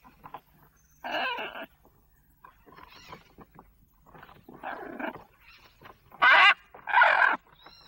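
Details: Pet male lorikeet kept indoors in a kitchen, calling in a series of harsh, raspy squawks of uneven length, with short quiet chatter between the louder bursts and two loud screeches near the end.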